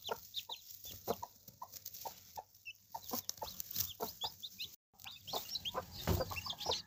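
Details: Three hens with seven chicks; soft scattered clucks and short chick peeps at varied pitch over steady background hiss, with a brief dropout near five seconds.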